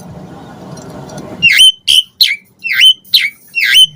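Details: Asian pied starling singing to spur other starlings: after a second of low background rumble, a string of six rough, bent chirps with whistled tips at irregular intervals.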